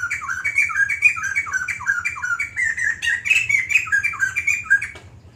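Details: Extended song bout of a White-crested laughingthrush: fast, bubbling series of loud slurred squawky notes, repeated steadily, ending abruptly near the close, with a faint hum behind.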